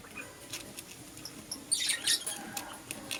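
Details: Caged lovebirds, green Personata and yellow pastel pied, in the morning: soft scattered clicks, then a brighter cluster of shrill twittering chirps in the middle, fading to faint ticks.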